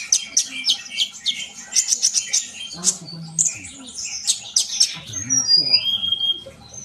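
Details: High, tumbling sunbird song of quick chirps and sweeping thin whistles, ending in a few longer pure notes, with soft low sounds in the background.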